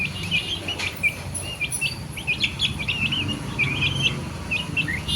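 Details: Baby chicks of domestic chicken peeping continuously, many short high cheeps overlapping, some rising, some falling, several per second, over a steady low hum.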